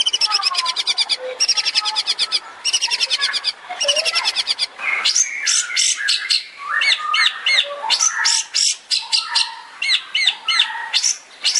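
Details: Long-tailed shrike singing in the rapid 'tembakan' style used as a master recording for training songbirds: dense bursts of high, sharp repeated chips alternating with harsher downslurred notes and quick rattling trills, almost continuous.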